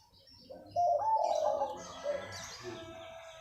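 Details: Morning manggung cooing from a local wild-type zebra dove: after a soft start, a loud bubbling trilled phrase swells and wavers, tapering into quieter coos. High twittering from other birds behind it.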